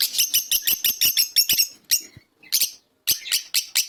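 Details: Fischer's lovebird giving a fast series of piercing, high chirps about four per second, a brief pause with a soft note, then the shrill chirping resumes.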